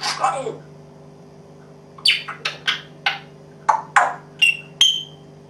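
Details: A pet grey parrot mimics coughing and a dog barking: a raspy cough-like burst, then about eight short, sharp bark-like yelps over three seconds, some ending in whistled notes, over a steady low indoor hum.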